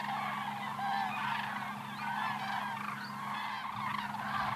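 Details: Cranes flying overhead in 2014 give a thick wash of overlapping honking calls, some rising at the ends, over a constant low droning hum.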